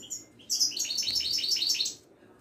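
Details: Moroccan Widani European goldfinch in a cage, from a Casablanca bird market. It delivers a rapid, high, tinkling trill of repeated bright notes lasting about one and a half seconds, then falls silent.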